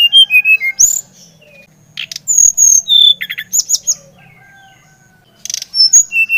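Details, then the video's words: Brown-chested jungle flycatcher from Bali, used to stimulate another bird to sing: clear whistled notes sliding downward in short runs, several phrases separated by pauses, with brief rattling clicks between. "Kicauan SRDC Bali Gacor Merangsang srdc Bahan agar cepat Ngeplong Gacor"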